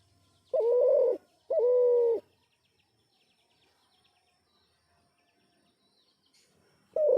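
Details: An unidentified bird gives two hoarse, level, cooing notes, each about half a second long, then stays silent for several seconds before starting a third note.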